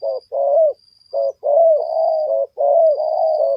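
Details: Spotted dove, called tekukur, recorded for luring wild birds: clear low cooing phrases, several drawn-out rolling coos with short gaps, repeated about once a second, a faint steady high tone running behind.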